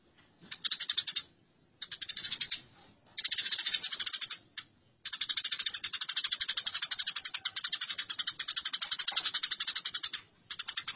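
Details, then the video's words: House sparrows fighting, from a masteran recording: dense, harsh, high rattling chatter in long bursts of rapid notes, split by short silences, with one sustained stretch filling the second half. "Masteran Gereja Tarung"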